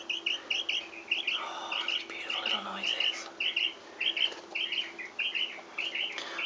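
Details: A pet common quail, free-running in a kitchen alongside two other quail, gives soft, short chirping contact notes, repeated evenly about twice a second, while a person speaks quietly in the background.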